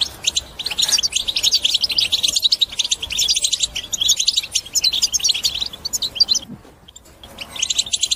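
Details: Goldfinch song for encouraging pet birds to sing: lively, rapid high twittering with buzzy trills running several seconds, a brief break, then resuming.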